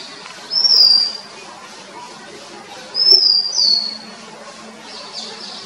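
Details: Oriental magpie-robin (Copsychus saularis) in Sri Lanka gives two clear, high whistled phrases about two and a half seconds apart, each slurring slightly downward, over a quiet background with faint low hum; finding: Oriental magpie-robin.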